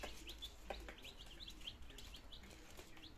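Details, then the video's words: Young domestic chickens, nineteen chicks on their second day of life in Germany, 17 September 2022, starting to eat and drink; brief high cheeping notes come in quick irregular bursts above a low constant hum. "My Chicks in second Days - Meine Küken in der zweite Tag"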